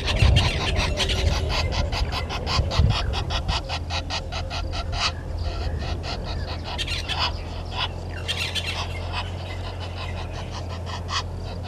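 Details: Red-billed hornbill, nest tree, Djuma Game Reserve waterhole camera at Gowrie dam, Sabi Sand Wildtuin, South Africa, 10:09 on 30 January 2020: dense train of hard clucks for about five seconds, then scattered notes, over a constant low hum.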